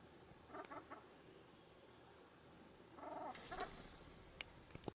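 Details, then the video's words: Ruffed grouse giving low, clucking notes in two short bursts, a quick run of clipped clucks early, then a louder cluster about two seconds later, with a few sharp clicks near the end over a quiet background hum. "Ruffed Grouse talking"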